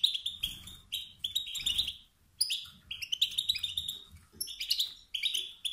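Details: A male wild goldfinch utters the 'sit-sit' and 'bit-bit' calls said to trigger competitive singing in other males; sharp, liquid chirps in clustered bursts, some soft low background noise.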